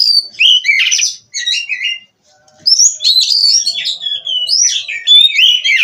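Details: Oriental magpie-robin raised on a breeding farm, singing 'gacor' nonstop. Two bursts of loud, varied whistled and chattering phrases are split by a silent gap of about a second. Upward-sweeping clear whistles come at the end.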